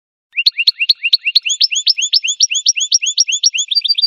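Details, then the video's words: Goldfinch song as an unbroken four-second run of rapid, bright, upward-flicked notes. The notes shift slightly in pitch partway through and speed up into tighter twitters at the close. No background noise. "Golden-feathered Goldfinch singing show"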